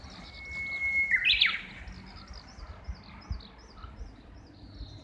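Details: Japanese bush warbler singing, recorded from the second floor of a house, apparently calling back and forth with a companion or mate nearby. A long steady whistle swells into a loud, rising flourish, followed by faint high chirps and light background noise.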